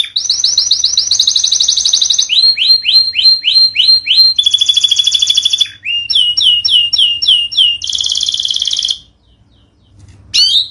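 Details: Training master of a singing canary, aimed at birds that have gone quiet. Rapid rolling trills alternate with runs of downslurred whistled notes and bright buzzy bursts, followed by a brief pause and one last short note.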